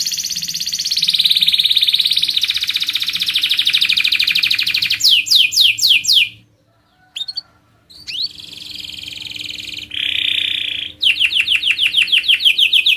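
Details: Rolling canary song: a long steady buzzy trill, a burst of quick sweeping notes, a near-silent gap with a few soft chips, then more rolls and fast rising notes.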